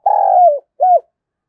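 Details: ['Spotted dove calling to stir other doves into cooing. A long, steady, hollow coo slides slightly downward and is followed by a brief, arched final note.']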